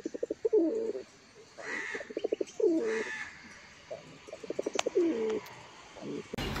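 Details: Mukhi fancy pigeons cooing: bursts of quick pulsed notes lead into a rolling, warbling coo, the phrase repeated about every two seconds, with faint background noise and a sharp click near the end.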